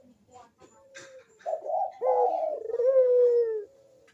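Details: Barbary dove lure recording meant to prompt reluctant doves to coo: a soft lead-in, then one drawn-out low, throaty coo that wavers and falls, with a few faint higher bird notes.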